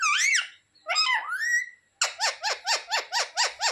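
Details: Pet parrot talking indoors: two drawn-out, wavering speech-like phrases, then eight quick, evenly spaced squeaky syllables in a rapid run.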